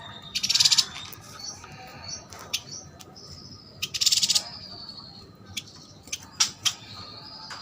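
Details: Caged yuhina from Kalimantan, in full song: two dense, very high buzzy trills about three seconds apart, scattered sharp chirps between them, and a faint steady high whine underneath.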